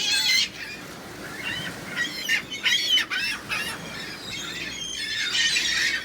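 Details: Crowd of seagulls giving loud, grating squawks in irregular bursts, some clipped and others drawn out, with dense chatter from more gulls toward the end and low ambient noise.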